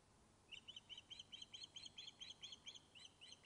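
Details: Webcam recording from an osprey nest at Loch of Lowes, Scotland: the returned bird fish-calls with a long, steady string of piercing whistled yelps, roughly two per second, continuing for three seconds.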